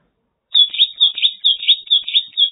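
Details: Mongolian lark, China, delivering a steady string of bright, rolling chirps, roughly four per second, each with a slight swoop, in a continuous two-second phrase.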